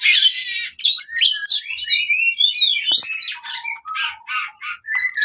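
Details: Fighting song of an oriental magpie-robin, played to get silent birds singing again: harsh buzzy opening, then fast rising and falling whistles and scratchy chatter delivered continuously.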